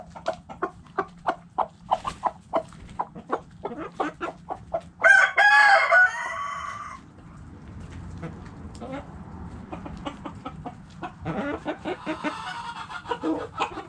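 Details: Backyard hens cluck in a steady run of short notes, broken by a rooster's drawn-out crow.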